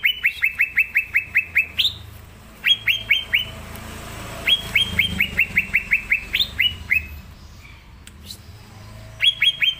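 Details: Vigorous Green leafbird song made of long rapid strings of bright descending chirps, about five per second, punctuated by higher upslurred notes and brief pauses between phrases.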